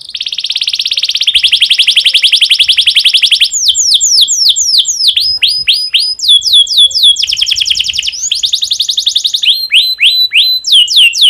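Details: Breeding-condition domestic canary song meant to stimulate other canaries: long rolling buzzy trills alternating with series of sharp descending whistled notes, continuous and bright.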